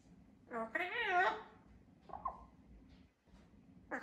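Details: A pet double yellow-headed amazon (Amazona oratrix), aged 3 years 8 months, talks indoors in a raspy, human-like voice, praising itself: a long rising and falling phrase, then a shorter word and the start of another.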